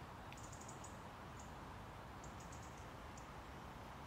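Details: Eurasian treecreeper in Tivoli landscape park, Ljubljana, Slovenia, 26 September 2022: faint, very high, thin notes in short quick runs, then a few scattered single notes, over a steady low background rumble.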